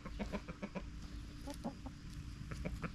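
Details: Backyard chickens clucking softly in short, low, repeated pulses, some of them paired, over a steady low hum.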